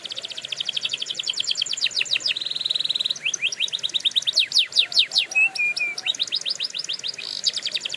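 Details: Canary singing a training song for canaries: rapid rolling trills of quick downward-swept notes, a steady sustained whistle near the middle, then more fast sweeps and a few short flat piping notes, all high-pitched and continuous.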